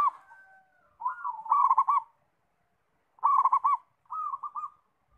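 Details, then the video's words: Zebra dove (perkutut), called a lively singer, delivers rapid rolling coo phrases, a loud burst followed by softer echoing trills, with a faint steady tone at the start. "Anggungan gacor - langsung bunyi"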